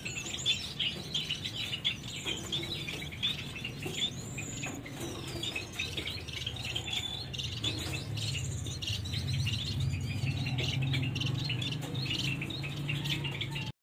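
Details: Yellow-backed, orange-hooded Gouldian finches give soft, thin chirps and short twittering notes at an uneven pace, over a steady low hum.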